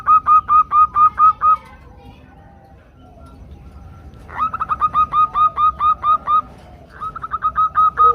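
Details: Female zebra doves calling for the male, recorded as a lure for singing: loud bursts of quick, evenly spaced stuttering notes, a short run, a pause of nearly three seconds, then two longer runs.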